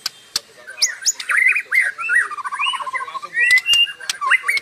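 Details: White-rumped shama (murai) singing nonstop in a vigorous gacor style: varied whistled phrases rising and falling near mid pitch, a quick descending run of short beaded notes, and several sharp dry clicks scattered through the phrase.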